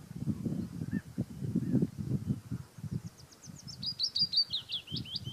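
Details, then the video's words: Willow warbler singing in Auld Haa Garden on Fair Isle. A soft, high descending phrase of sweet slurred notes comes late, over steady low rumbling wind noise. "Singing Willow Warbler"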